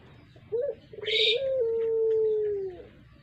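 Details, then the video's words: Puter pelung dove, a voice used to lure birds: a short low note, then a long drawn steady coo held for nearly two seconds, with a brief high chirp over it and faint background noise. "Burung puter pelung.cocok buat pancingan"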